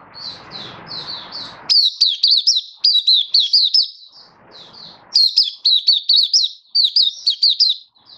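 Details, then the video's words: Malaysian white-eye kept by a bird hobbyist in Singapore, 20 March 2023, stable warm sunny weather, singing happily: loud clusters of fast, high, down-slurred chirps in rhythmic runs separated by brief softer warbles; low rumble at the start. "Malaysian Mata Puteh Happy Buka Sing"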